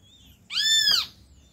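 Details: Great kiskadee, one of a family feeding at a feeder in an acerola tree, gives a single loud, harsh, arched note with stacked overtones lasting about half a second over a quiet background.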